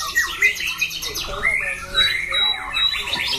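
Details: Caged white-rumped shama bred for song contests, with a loud, harsh voice; a few drawn-out, sliding whistles and warbled phrases spaced across a short stretch.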